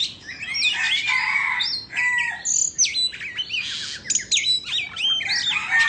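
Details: Indonesian Oriental magpie-robin, tail fanned in a dance, sings varied whistled phrases: sharp upslurs, steady high notes, a low pure whistle and rapid twittering runs.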